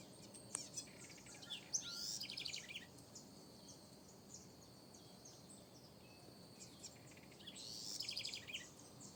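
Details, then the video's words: House wren singing in a backyard: two bursts of quick, high, jumbled notes running into a rapid chattering trill, a few seconds apart, over a steady high insect-like hiss. ""corruíra" o mais belo canto"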